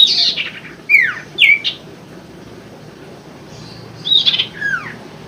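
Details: Common Iora song used as a lure for caged birds that have stopped or are reluctant to sing: short whistled notes sliding steeply downward, in two bursts separated by a quiet gap, over faint background hiss.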